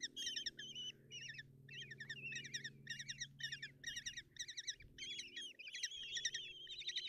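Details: Common kestrel young begging at the nest during a morning feeding by their mother, Tiszalök, Hungary, June 2024; clustered shrill trilling bursts with some longer drawn whistled notes near the end, over a constant low hum.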